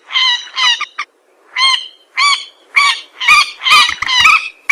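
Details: Common moorhen (jal morgi) lure calls: spaced, nasal, honking notes with a slightly bent pitch, about two per second, growing louder and closer together toward the end.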